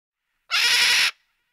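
A single harsh, raspy macaw squawk lasting just over half a second, loud and grating, with silence on either side.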